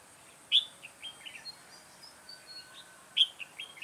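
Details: Red-whiskered bulbul decoy bird used for trapping in Tây Ninh, recorded 2 October 2018, giving short bright whistled phrases with a sharp opening note, repeated after about three seconds, over steady background hiss.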